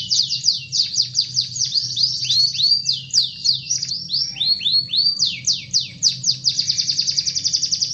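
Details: Canary song used to stir shy canaries into full song: fast runs of high descending whistled sweeps, some slower rising-falling notes midway, ending in a quick buzzy trill, with faint low background hum.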